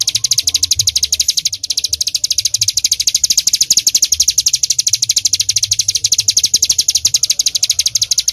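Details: Ciblek gunung, the bar-winged prinia, delivering an unbroken stream of shrill, high-pitched chips in quick, regular succession for over eight seconds, bright and metallic, over faint low background rumble.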